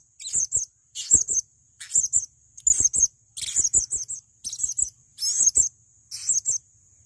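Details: Male blue-crowned hanging parrot used as a training master, uttering shrill, high-pitched twittering bursts of doubled squeaky notes, roughly one burst every 0.7 seconds, against a quiet background with soft low ticks.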